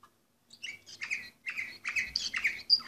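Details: Orpheus canary number 24 from 2014 delivers a quieter, jumbled warble of quick chirps and slurred notes, rising in loudness toward a final sharp whistle.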